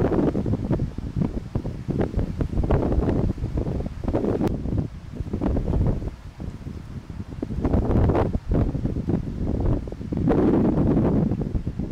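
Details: Only wind buffeting the microphone and rustling, with no animal calls.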